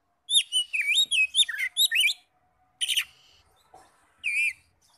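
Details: Oriental magpie-robin song played as a lure to rouse other magpie-robins into singing: a quick run of high, looping whistled notes, then a pause, a harsh burst and one more wavering whistled phrase.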